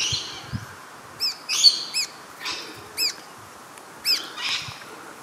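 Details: Red-browed finch recorded at Carnarvon Gorge, Queensland, Australia, on 20 July 2019 around 18:00 with a Panasonic Lumix GH5: thin, very high arching notes given singly or in quick pairs, about six in five seconds, with brief breathy bursts between them.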